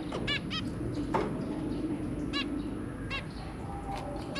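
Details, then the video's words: Zebra finches, a breeding pair and three babies, recorded 23 January 2022: a handful of clipped nasal toots, two close together at the start then single ones spaced about a second apart, over quiet rumble. "Zebra Finch"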